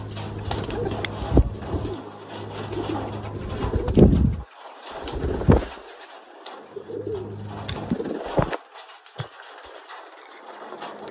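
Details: Racing pigeons cooing: low, soft rolling coos repeated through the recording, mixed with handling thumps, rustling and steady background hum.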